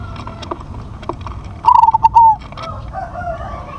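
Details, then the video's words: Crossbred zebra dove with a big voice, giving one loud phrase of rapid staccato coos that ends in a longer drawn note, set against low background hum and faint scattered clicks. "PERKUTUT CROSSING SUARA BESAR"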